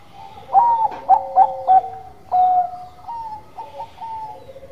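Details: Lively song of a Bangkok-type zebra dove: four clipped, bouncing coos, a pause, then a longer note and a few softer tones that step up and down.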